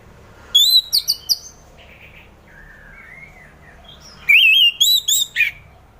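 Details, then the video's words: Orange-headed thrush in relaxed song, intended to coax a reluctant thrush into singing in the morning; bright whistled notes in quick clusters, a soft lower warbling pause, then another burst of high wavering whistles. "Kicauan Anis Merah || Ngeplong Santai"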